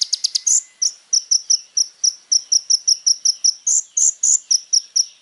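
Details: Little spiderhunter singing busily, recorded as a tutor song: a long series of sharp chipping notes repeated roughly four times a second, interspersed with a few louder, higher whistled notes.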